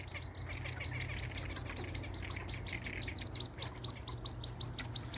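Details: Newly hatched wood duck duckling from a nest box, calling with rapid high, thin, downslurred peeps about three per second, growing louder and more regular toward the end, over faint low background rumble.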